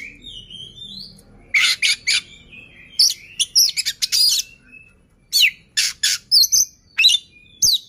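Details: Oriental magpie-robin song used to prompt other birds to sing: rapid bursts of loud high chirps and buzzy notes in clusters, with pauses and a low hum behind.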